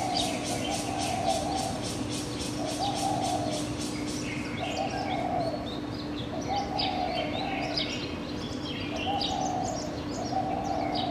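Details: Birds at dawn, 4:51 a.m., captured with a Canon PowerShot SX700 HS. Low, soft cooing phrases return every two to three seconds. Thin, high chirps scatter above them, over a steady background hum.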